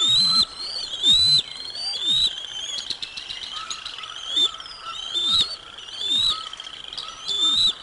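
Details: Bald eagles, Decorah North nest, 05 06 2022, as lunch is brought to eaglets; about eight seconds of persistent shrill chirping, louder pulses about once a second, plus low swishing sounds.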